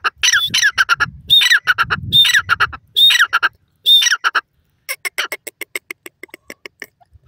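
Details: Wild yellow francolin, known locally as teetar, calling: five loud, harsh squawking phrases about a second apart, each with a rising squeal, then a quick run of short clipped notes that fade away.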